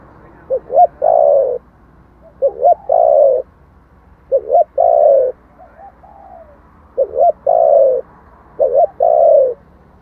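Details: Spotted dove, 'thổ' voice style, a recording used to draw in wild birds. Five repeated coo phrases, each a quick doubled lead-in and a firm descending hoot, with a softer murmured note between some phrases.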